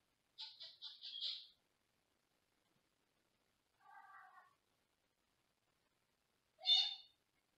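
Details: In a small cage in another room, a male Senegal parrot utters a rapid run of four pulsed high calls, a lower nasal buzzing call, then one sharp squawk after a pause.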